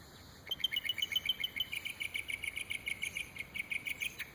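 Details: A bird copying various noises produces a fast, even trill of about twenty clipped notes that drops slightly in pitch and continues for nearly four seconds.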